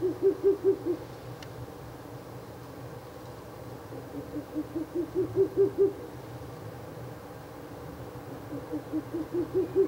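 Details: Ural owl at a nest box on the night of 16 April 2024, third night of nest visits; three bursts of rapid, low hollow hoots, each run of about five notes swelling then stopping, with steady background hum.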